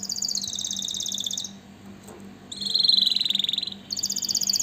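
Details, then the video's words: Canary song of high rapid trills broken by a short quiet gap, then a loud lower rolling tour and a return to a very high fast trill; low mains-like hum persists. "اجمل غناء لطائر الكناري تغريد الكناري"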